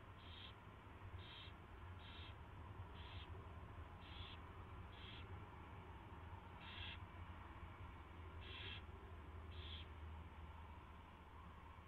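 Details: Owl nest at night, 24 February 2016, 4:21 AM, with a mouse delivered and fed: about nine short harsh hisses repeated roughly every second, over steady low hum.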